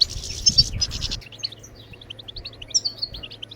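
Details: Goldfinch bebtebat song used to get birds singing. A loud noisy rustle opens, then quick high chirps and sweet twittered notes follow over a steady low hum.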